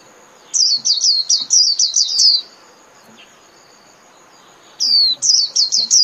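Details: Japanese white-eye calling the flock with two bursts of shrill, descending chirps separated by a quiet pause of over two seconds, each burst a tight run of quick notes.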